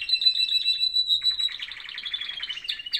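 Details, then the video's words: Canary singing in the morning, giving a steady high whistled tone that breaks into a rapid bubbling trill, with notes gliding slightly downward and ending in sharp chirps. "Beautiful canaries singing in the morning"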